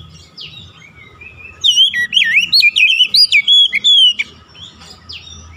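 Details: Kacer, the Oriental magpie-robin, used as a singing lure to draw other birds into song: softer opening notes, then a vigorous burst of rapid, looping whistles for about two and a half seconds, over a faint steady hum.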